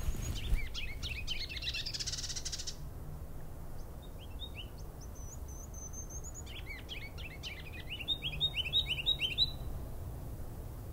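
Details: Blue Jay in Sax-Zim Bog farmland and woods on a morning in April 2020 gives its squeaky "pump handle" call, creaking notes in a quick series, with other small birds chirping over a steady low rumble.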